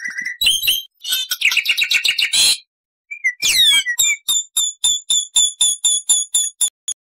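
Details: Black-winged starling giving varied loud song: squealing and harsh buzzy chatter, then a swooping whistle and a steady series of short sharp notes repeated about four per second, with no other sounds.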